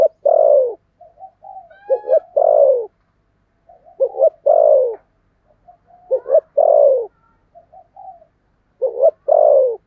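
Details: Spotted dove used as a lure bird, voiced in the 'thổ' style: four regular phrases of paired short hoots and a long, smooth, falling coo, separated by faint soft notes.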